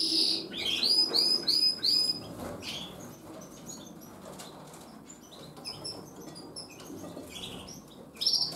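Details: Gloster canary breeding pair, kept birds preparing to breed, with high twittering song phrases and repeated chirps, strongest in the first two seconds, over a steady background hum and some wing flutters.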